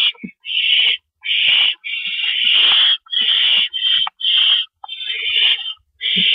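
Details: Owls at a nest before dawn in early April 2012 during rabbit prey deliveries; raspy hissing screeches follow one another almost without pause, uneven in length, with faint soft clicks and shuffles underneath.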